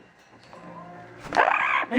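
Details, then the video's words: A female Double yellow-headed amazon kept at a veterinary hospital in Glen Cove, NY, a Hurricane Sandy survivor, talks. A quiet, murmuring lead-in precedes a brief, loud, harsh burst of imitated speech, with human voices nearby. "Amazing Talking Bird"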